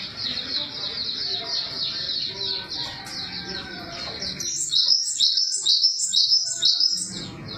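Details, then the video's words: Java sparrow giving a long, steady stream of high, thin, rapid chirps, then a louder phrase of looping, bell-like notes repeated about twice a second, with low background murmur. "Suara burung glatik"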